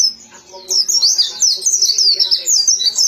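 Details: A white-eye, a small pleci of the dakun type, sings a rapid, high, tumbling twitter of thin whistled notes. The notes run almost without pause. A faint low hum sits underneath.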